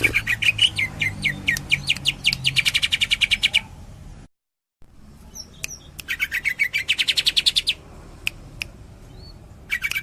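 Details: Greater green leafbird of Cililin performing 'tembakan' song: a quick rattling series of bright repeated notes, then a gap of near silence, then another fast burst of staccato notes and a final short run.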